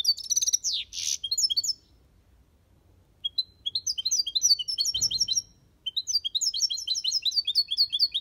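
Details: Aviary European goldfinch singing the copia Malaga song style: a burst of dense high twitters and a harsh buzzy note, a brief silence, then long fast series of bright chirping notes, with a soft thump midway.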